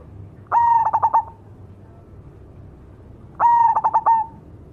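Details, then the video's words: Zebra dove of the cemani type singing vigorously: two cooing phrases about three seconds apart, each a steady mid-pitched tone broken into a rapid run of four or five throbbing pulses, ending in a short fading hum. "suara burung berkutut cemani gacor mangung"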